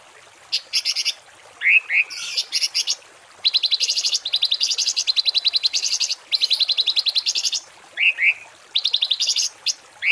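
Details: Songbird in a masteran training recording of harsh 'tembakan kasar' phrases for cage and contest birds: bright rapid buzzy trills in long bursts, broken by paired upslurred whistles, repeated through the clip with little background.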